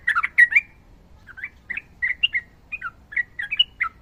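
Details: Sooty-headed bulbul in fighting mode with long rapid song: a burst of jumbled chirps opens, followed by spaced, short rising and falling whistled notes roughly every third of a second.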